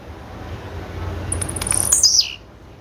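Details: A female blue-black grassquit (tiziu) calls once: quick high ticking notes accelerate into a thin, steeply descending slurred note, with quiet low hum behind.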